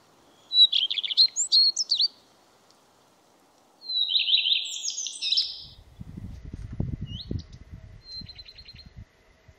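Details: Common redstart with two separated song phrases, each a jumble of quick chirps and a scratchy, buzzy flourish, then a short high rattle. Low rumbling noise comes in near the end.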